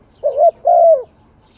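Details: A single spotted dove phrase: a brief coo followed immediately by a longer, smooth, slightly falling coo.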